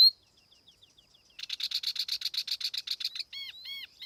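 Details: Tiểu mi laughingthrush used as a lure: faint thin notes, then a loud, fast, buzzy trill of rhythmic pulses lasting about two seconds, closing with several arched whistled notes, with no other sounds.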